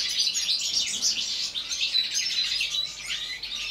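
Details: Goldfinches in an aviary during winter, in a short burst of their constant singing. Shrill tinkling notes and rapid chirped phrases pile on top of one another into a steady, high twitter.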